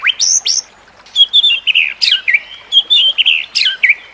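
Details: White-rumped shama singing, used to train other shamas; clear sweet whistles and sharp upslurs mixed with warbled, wavering notes in short varied phrases, with brief pauses between.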